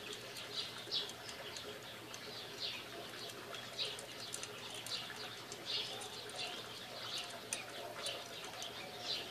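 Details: Pet female parakeet indoors playing with a new toy, giving soft warbling chatter with short high chirps recurring every second or so, mixed with light clicking and rattling of the toy.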